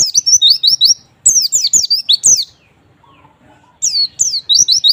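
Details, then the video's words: Three energetic bursts of rapid, piercing white-eye chirps, each note slurring downward, split by short quiet breaks; lure audio for encouraging lazy white-eyes to sing. "pancingan pleci malas bunyi agar cepat gacor"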